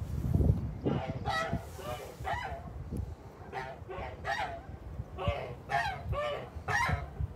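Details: Kholmogory geese on a farm, recorded 29 March 2021: a flock gives loud, nasal honks in ragged bursts, often doubled or tripled, roughly every half second with brief pauses, over low farmyard rumble.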